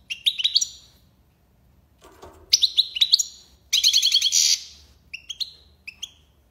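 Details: Song of a goldfinch (maqnin) in the tiwawati and lipasad styles: sharp, ringing chirped phrases, a dense rattling trill near the middle, and short clipped double notes toward the end. A faint low rustle briefly intrudes.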